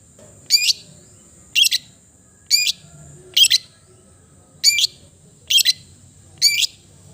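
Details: Long-tailed shrike uttering short, sharp, chattering bursts spaced about a second apart, some doubled, against a constant thin high-pitched tone.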